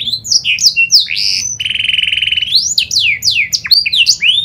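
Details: Kenari panda canary song used to coax other canaries into song: curling whistled notes, a sustained buzzy roll in the middle, then a run of steeply falling and rising whistles.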